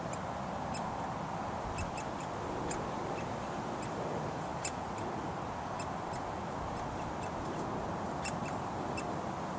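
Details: In a Surrey front garden by a road in June 2022, a hungry young woodpecker demands food: scattered sharp, abrupt chip calls in loose bursts across the whole stretch, with heavy traffic hum beneath.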